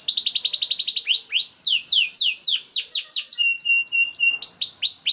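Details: Young canary singing as a prompt for other canaries: a fast rolled trill, then slower falling whistles, a flat sustained note with short chips, and more swooping whistles at the end.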